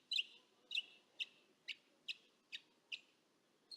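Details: Distant Northern mockingbirds picked up with a parabolic microphone give sharp, clicky chirps repeated roughly every half second, eight in a row, over a soft low rumble of background noise.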